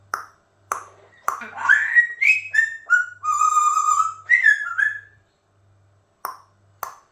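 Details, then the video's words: Amazon parrot at home, described as playful and a little crazy, delivering a tumbling sequence of rising and falling whistles with rich harmonics, framed by isolated clicks, in a small room. "Talking Amazon Parrot Gadajaca Papuga"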